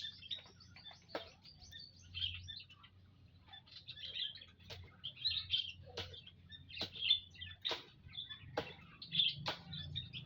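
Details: Aviary flock of munias, daily check on 19 April 2025: continuous high, slightly buzzy twittering punctuated by crisp ticking notes every second or so, with a low constant hum in the background.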